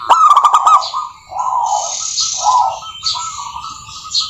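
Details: Local wild-type zebra dove in song: a loud opening of rapid clicks and stuttering coos, then lower rolling, purring phrases. A steady high chatter of other birds sounds behind.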